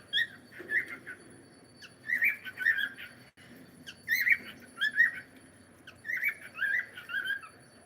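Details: Pet cockatiel indoors giving bright, warbled whistles and squawky chirps in quick bursts of two to four notes separated by brief gaps; steady faint background hum.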